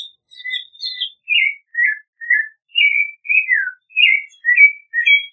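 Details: Clay-colored thrush singing roughly two whistled phrases a second, each slurred and dropping in pitch, after a few higher chirps at the start.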